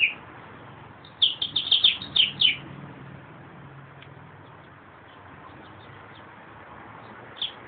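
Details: A brief meadowlark phrase of rapid, bright, slurred notes, followed by quiet hiss and one isolated note at the end.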